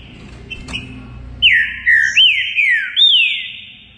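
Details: Green-winged saltator (trinca-ferro) in full song: after a quiet start with a brief click, four loud, rich whistled notes follow each other quickly, each sliding downward in pitch, the last one long and fading.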